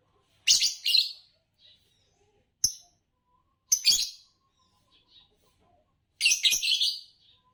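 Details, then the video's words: Champion green Fischer's lovebird calling in sharp, rasping bursts: a double chirp, a short click-like note, another grating chirp, then a longer scratchy chatter near the end. "Spectacular Chirps from World Champions - Lovebirds Chirping Sounds"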